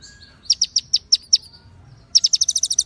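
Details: White-rumped shama konin song with cililin and ciblek fill-ins, sung clearly between pauses: six slow, spaced high chirps, a short pause, then a quick run of about ten crisp notes.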